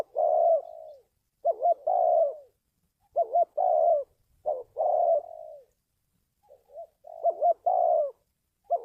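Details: Spotted dove calling, used as a lure to draw wild doves for trapping. Low hoarse phrases, each a short doubled note followed by a long drawn coo, repeat irregularly about every one to two seconds, with a brief pause mid-clip.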